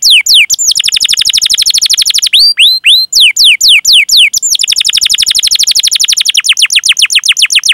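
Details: Canary's long 'cuit cuit' rolling (ngerol) song, used to lure canaries into singing: extended rolling trills of quick down-slurred notes, broken midway by a few slower swooping whistles.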